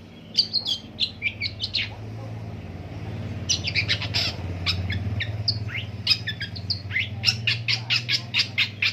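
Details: Long-tailed shrike in a long rolling song imitating various birds: a varied stream of high, thin chirps and short whistles in uneven bursts, some notes clipped and rapid, over a steady low droning hum.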